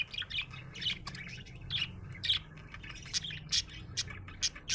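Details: Budgerigar in a happy mood, chirping with quick sharp clicks and short buzzy warbled notes, several spaced bright ticks near the end, over a low hum.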